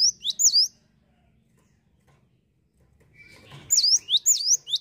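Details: Cinereous tit in lively song: two bright down-up whistles, a silence of nearly three seconds, then a run of about five rapid high whistled notes.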